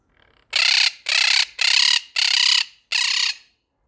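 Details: Monk parakeets, pet birds, yelling because they are scared of cats nearby: five loud, harsh, raspy squawks, each about a third of a second long, repeated at a steady pace.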